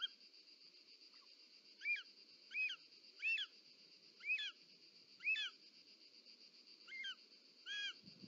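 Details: Short-toed snake eagle female at the nest with a delivered snake, Parc Natural dels Ports, Catalonia, 18 July 2024: seven quieter, spaced whistled notes over a high hum and soft background rustle.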